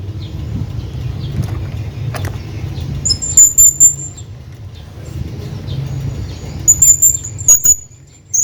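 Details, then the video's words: Male hanging parrot calling to a companion: two clusters of rapid, very high, needle-thin squeaks several seconds apart, separated by quiet stretches with a low rumble underneath. "hanging parrot calling his friend"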